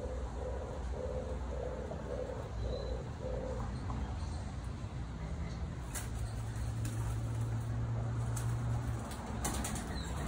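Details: Captive European turtle doves in an enclosure, courting: a run of soft, low purring coos, about six evenly spaced phrases over the first few seconds, followed by a steady low hum and faint rustling.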